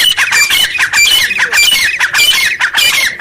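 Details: Grey francolin (teetar) calling loudly in the wild in jungle; harsh, squawky notes with a ringing whistled edge, repeated rapidly and overlapping in a dense, continuous chorus.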